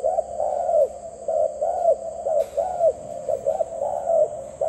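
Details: Repeated low hollow coos from a dove, each note gently rising then falling, given in quick succession over a steady background hum.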